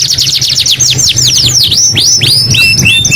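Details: Canary singing loudly: a fast trill of high notes gives way to slower, arched whistles and sliding phrases, with a soft low hum beneath.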